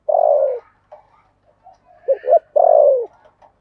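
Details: Spotted dove used as a decoy bird to lure others, in the 'giọng thổ' call style; two long, low, falling coos about two seconds apart, with short soft notes and a double hoot between.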